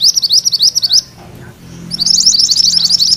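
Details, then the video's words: Rolling high-pitched notes from a mantenan kuning, quick and sharp, stop after one second; after a quiet stretch the fast ngerol roll starts again, a song used as tutor material for magpie-robins. "Suara MANTENAN KUNING ngerol"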